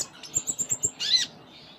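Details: Sunda minivet, known locally as konin, delivering gacor isian song: five evenly spaced high whistled chips in quick succession, then one loud buzzy downslurred note.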